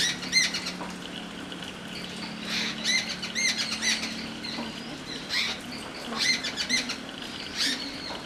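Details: Jungle babbler call: repeated grating, nasal chattering notes in short clusters, some fainter, others loud, with a low background hum running through.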